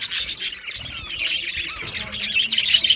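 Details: Australian budgerigars chirping: dense, overlapping high twittering and warbling from several birds, with brief rasping notes and a few short whistled slides, continuous throughout.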